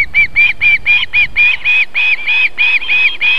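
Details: Female osprey feeding chicks at a nest in Võrumaa, South Estonia, on a July evening: clear, ringing whistled notes repeated steadily about four times a second.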